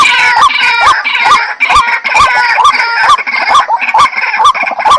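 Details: White-breasted waterhen (dahuk) repeating a quick rising note with a curled end, roughly two per second, set against a broad, raspy upper band of sound.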